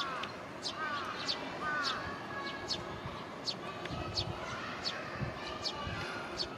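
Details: Hungry juvenile Eurasian tree sparrow following its foraging parent by a roadside in Japan, sunny afternoon around 16:50, early July 2022, begs with sharp, high chirps about twice a second over a steady hum and distant voices.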